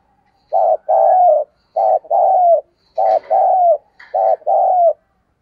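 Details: Spotted dove used as a lure for wild doves, cooing repeatedly. Four two-part phrases, a clipped coo then a longer, slightly falling coo, come at an even pace in near silence.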